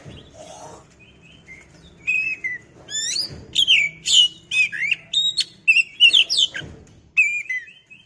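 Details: Singing oriental magpie-robin (kacer) used to provoke another bird: after soft opening notes, a long series of loud whistled and chirping phrases with falling slurs and sharp repeated syllables, over faint background hum.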